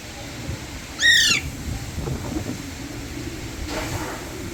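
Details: Alexandrine parakeet perched on an electric wire gives a single loud, harsh squawk with stacked harmonics about one second in, arching then falling. Afterwards only a steady low rumble and hiss of background noise remain.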